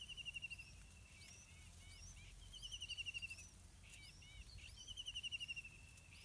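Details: Yellow-vented bulbul parents feeding their two hungry chicks on wild fruits and small insects in a pineapple garden; three rapid buzzy trilled bursts, about two and a half seconds apart, among many thin high chirps, over a low steady rumble.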